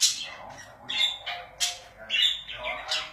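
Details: Pet budgerigars give sharp, buzzy squawks and short warbled chirps, about four loud bursts in three seconds, with softer chatter between them.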